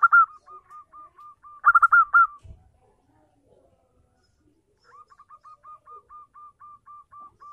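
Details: Lure song of a local zebra dove, meant to draw an answer from a silent dove: a loud stuttered phrase, regular soft coos, a second burst, a gap, then another string of even, quieter coos.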